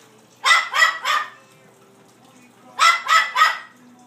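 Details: Captive blue-fronted amazon mimicking a small dog: two bursts of three sharp, raspy barks each, the barks about a third of a second apart, with a quiet gap of over a second between the bursts.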